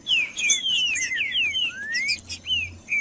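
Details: Green-winged saltator (trinca-ferro) singing to heat up and provoke males into challenging song; a quick series of clear, slurred whistled notes, some rising, some falling, in varied short phrases, over a faint steady high tone and light low hum.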